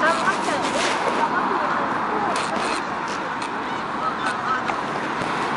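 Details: Gulls, one seen bathing or possibly courting, call over one another in a dense, constant chorus of harsh, wavering mewing and squealing notes, with a steady background roar.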